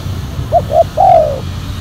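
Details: Silver-coloured, black-collared decoy spotted dove used to lure wild doves: two short hooked coos followed by one long, falling, slightly rough coo, all mid-pitched, over a low rumbling background.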